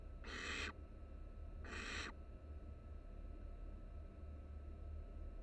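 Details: Three young barn owl nestlings resting together in a nest box filmed live at the University of Florida; two loud breathy hisses in quick succession near the start, then only low steady hum.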